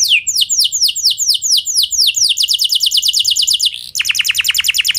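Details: Canary singing to set off other canaries: looping downward sweeps at a measured pace that speed up into a tight rolling trill, a short slur, then another fast pulsed run.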